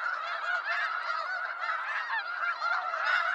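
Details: Dense chorus of wild snow geese, eastern North America: loud, unbroken layers of high nasal honking from many birds at once, with no pauses.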